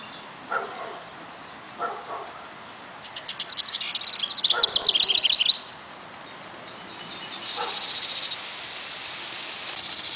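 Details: One of a nesting pair of House Wrens feeding their brood on 21 June gives high, harsh buzzy chatters and a quick descending trill of bright notes, with a few soft clicks and a faint insect-like hiss behind.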